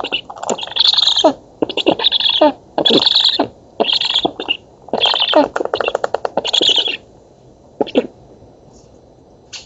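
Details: Black stork chicks in an oak nest in Poland, feeding on 11 August 2017, nest camera: series of coarse, buzzy hissing bursts with rapid clicking for about seven seconds, then fading to scattered clicks.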